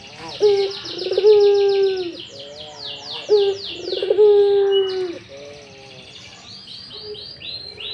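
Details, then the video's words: Barbary dove excited in breeding mood, performing ngipik coos: two long, deep, rolling coos about three seconds apart with softer notes between, while small birds keep up high, sweeping chirps in the background. "Suara Puter lagi ngipik2 birahi"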